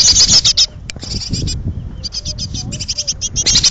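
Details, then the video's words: Great tit nestlings in a pollard willow, hungry and close to fledging, give dense trains of scratchy high notes in quick bursts, with short pauses between them; faint low rumble underneath. "jonge koolmezen"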